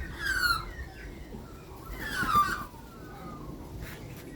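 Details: Australian magpie in Australia being hand fed, giving two clear, short, downward-sliding tonal notes about two seconds apart over a quiet, rumbling background.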